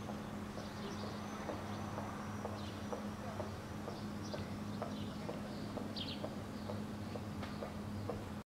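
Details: Common swifts (Apus apus) flying close to a roof's edge at a presumed nest site in Helsinki, Finland, in June 2013. Thin, high screaming calls come in short scattered bursts over a steady low hum and regular soft clicks.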